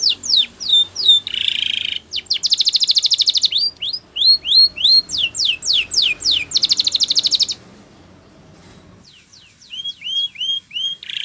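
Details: Spanish Timbrado canary singing a training song: looping falling whistles, buzzy bursts and long rapid metallic trills, a pause with faint background, then renewed curved whistled notes.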